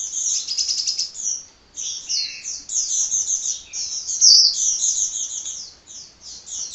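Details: Sunbird in lively, unbroken song, a loud, sharp sequence of rapid high chirps running almost continuously, with one short lull near the middle.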